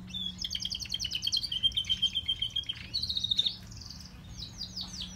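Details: Canary song from the grey and crested birds: a long rapid rolling trill of repeated high notes, then buzzy bursts and a falling series of sweeps, with a faint low hum beneath.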